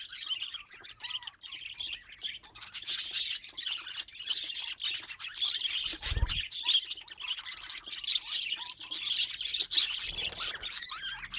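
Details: Pet budgerigars twittering nonstop: high, scratchy chirps and squeaky warbled notes from several birds overlapping, with a low bump around six seconds in.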